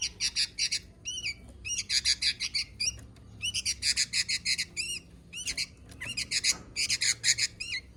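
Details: Sooty-headed bulbul chattering steadily for eight seconds: dense runs of harsh, rasping bursts alternate with arched, slurred notes, grouped in clusters about a second long with short breaks between them.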